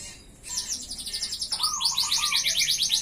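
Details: Canary song used as a tutor and lure for other canaries: after a brief hush, a fast high trill starts, then shifts into a brisker run of sharp repeated chirps. A lower whistled phrase runs alongside.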